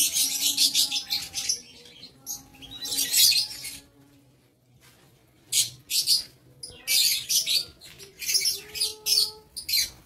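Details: Lovebirds in an aviary, recorded 7 April 2023, chattering in shrill, buzzy squeals. A noisy opening burst gives way to a short silence, then renewed rapid screeching phrases.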